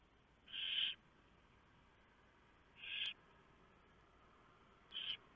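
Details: Barn owl nest at night while owlets are fed: three harsh hissing calls spaced about two seconds apart, fading slightly in length, over quiet background noise.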